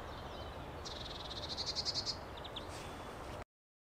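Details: European greenfinch in the coastal region of the Netherlands delivers one rapid rattling trill that swells and fades, followed by a few soft short notes, before ending abruptly.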